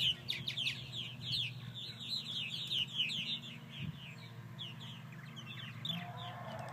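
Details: A flock of purple martins, probably more than 50, after several hawk attacks, chatters with dense, overlapping chirps and gurgled notes, over a low rumble, with a faint rising tone near the end.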